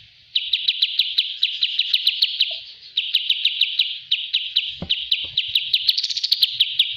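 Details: Rapid-fire chirping of a kapas tembak bulbul, a master recording for training birds: long runs of sharp, downward-flicking notes at a steady quick pace, briefly interrupted by a knock, ending faster and denser.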